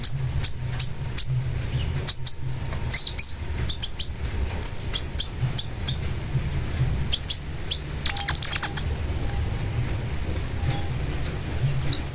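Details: Long-tailed shrike with a busy, varied run of high chirps, clicks and short notes, dense at first and then thinning into scattered calls, over a low background hum.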